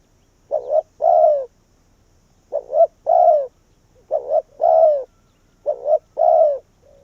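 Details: Spotted dove used as a decoy to call wild doves down: four evenly spaced low cooing phrases, each a clipped double note and a longer descending croo, with a faint trailing coo at the end.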